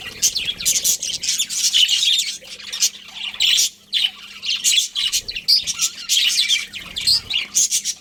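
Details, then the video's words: Colony of budgerigars chirping together: a dense, continuous chatter of rapid, scratchy high chirps and squawks overlapping in bursts, with a steady low electrical hum beneath. "Cute Budgies Chirping Sounds | Beautiful Love Birds | Budgies Colony"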